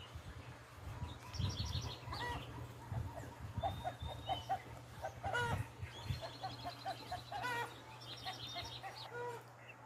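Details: Birds heard on a farm in the morning: clucking, harmonic calls and short nasal notes repeated in bursts, with a few thin whistles, over a steady low hum.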